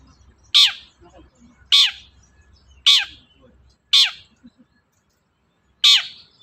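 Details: Long-tailed shrike calls used to stir a quiet shrike into singing: five loud, rasping notes, each falling in pitch, repeated about every second with one longer gap.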